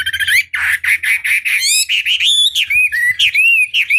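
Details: Energetic Chinese hwamei lure song for stirring other hwamei to reply, a dense run of loud, quick, slurred whistles and harsh scratchy notes, each phrase swooping up and down in rapid succession.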